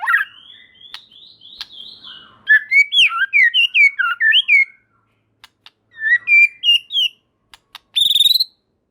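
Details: White-rumped shama song, played to make other murai batu respond: a soft warbling start, then loud rich whistled notes swooping up and down in quick runs, a pause, another whistled run and a final buzzy burst.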